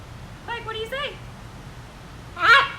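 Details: A female green-winged macaw at a zoo, which says little beyond "hi", gives a short, rasping imitation of "hi" preceded by a few rising, voice-like syllables, with a quiet room hum behind.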